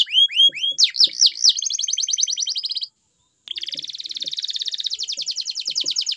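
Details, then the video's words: Singing canary opens with looping whistled notes, breaks into a dense high trill, falls silent briefly, then resumes with another long steady rattling trill. "Kenari Gacor Dor !!! Best Canary Song"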